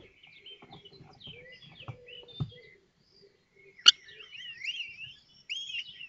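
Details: Kestrel nestlings in Théding, 19 May 2024, while a fifth chick breaks out of its shell: sparse, thin squeaky calls, a few short low notes, and sharp knocks and thumps from the nest, then louder wavering calls near the end.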